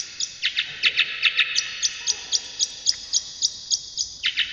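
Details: Brown shrike singing for a long training recording: evenly spaced high, sharp chips about three and a half per second, some broader and harsher, against a quiet background.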